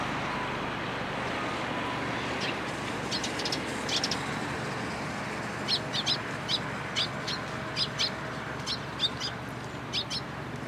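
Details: Sparrows amid cherry blossoms at a Tenmangu shrine, 1 April 2023; rapid, high, clicky chirps come in scattered groups, busier toward the end, over steady road noise.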